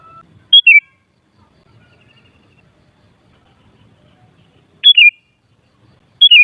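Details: Kutilang, the sooty-headed bulbul, recorded to get other kutilang singing and replying: three quick descending whistled phrases, one early and two near the end, with a faint thin trill and lower whistle in between.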